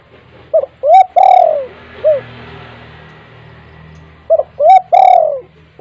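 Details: Spotted dove at home used to get silent doves calling: two full coo phrases, quick rising notes leading into a drawn-out descending coo and a short final hoot, over low steady hum and hiss.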